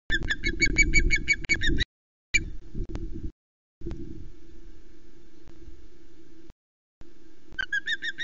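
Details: Osprey calling at the nest, Loch Arkaig, 9 April 2020, mid-afternoon, as a bird flies up with fresh fish brought by the male. A burst of quick, thin whistled notes is followed by quiet rumbling gaps, then more whistles at the end.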